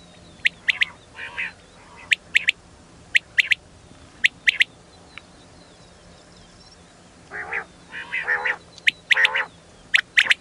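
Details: ['Quail calling in hill country, a sound used to lure birds: repeated sharp, high double and triple notes in short bursts every second or so, with lower harsher notes between them over a steady background hiss.']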